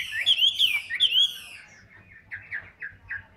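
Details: Tam hoàng Hwamei kept in a cage, a big bird said to sing heavily, opens with bright looping whistles, then drops to a run of short, lower, downslurred notes spaced about a quarter-second apart.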